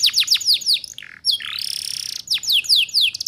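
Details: Canary master song used to train young birds in the ngeriwik sound: rapid falling chirps, a brief low buzz, a long harsh rattling trill, then more quick descending chirps repeated several times.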